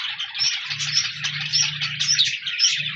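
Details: Budgerigars recorded on 14 January 2024, a group chattering in a dense, continuous warble of scratchy chirps and squeaky whistles, with a low steady hum running beneath from about 0.7 to 2.3 seconds.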